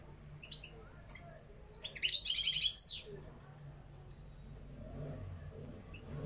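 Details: Caged European goldfinch of the parva form, singing a wild-type song with batbata and sitsita phrases. A single brief burst of rapid, tinkling twitter comes midway, with quiet room hum before and after.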